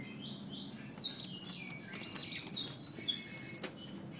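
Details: Female Peruvian canary uttering sharp, high chip notes about twice a second, some slurred downward, with softer twittering between them against a quiet background hum.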